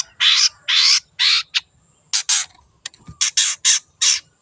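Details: Wild long-tailed shrike producing a series of loud, harsh, scolding rasps in uneven bursts, some long and some clipped, with a short pause midway and a brief low thump.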